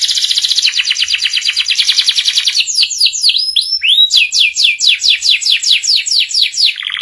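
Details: Canary singing a master song for juvenile canaries, ngeriwik style: a long pulsing high trill, then rhythmic dropping whistled notes repeated steadily, and a closing trill.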